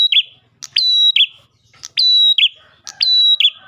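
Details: Ashy tailorbird song: a loud, high three-part phrase repeated about once a second, a sharp chip, a ringing flat whistle, then a quick downslurred note.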